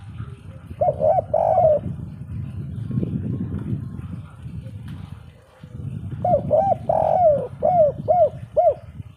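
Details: Derkuku (zebra dove) in 'kuk 3' style: a short burst of rolling, warbling coos, then a stretch of broad low rumbling noise, followed by a longer run of bubbly, looping coo notes repeated rapidly.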